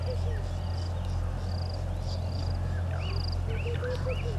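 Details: Red-billed hornbill at its nest tree by Gowrie dam, Djuma Game Reserve, Sabi Sand, South Africa, 30 January 2020 around 10:09, live camera: a short series of low, evenly repeated clucking notes near the end, with thin high chirps of other birds and steady low hum.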